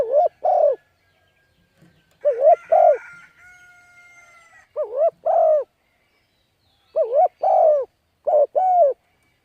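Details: Spotted dove cooing as a lure for wild birds, in decoy training. Pairs of low wavering and falling coos are separated by a long, drawn-out, crow-like tonal call from another bird.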